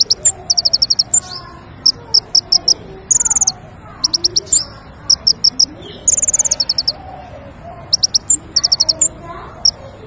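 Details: King konin lure song for bird trapping: repeated groups of high sharp chips and short buzzy trills over a steady low hum and faint background voices.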